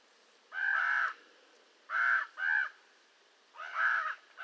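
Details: Common raven producing four drawn-out, raspy caws; a long first call, then a close pair, then another long harsh call, with quiet gaps between.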